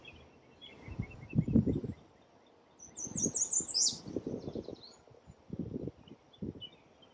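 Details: In New York City, a common redstart (Phoenicurus phoenicurus) sings one high, quick phrase of thin notes sliding downward, with faint chirps nearby and loud rustling and thumping close by.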